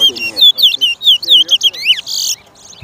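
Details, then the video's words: Chestnut-bellied seed finch (towa towa) singing in a bird race at Lamaha Street, Guyana, 2023: rapid run of clear whistled, slurred notes sweeping up and down, followed by a short buzzy burst, with faint voices behind. "TOWA TOWA BIRD RACE"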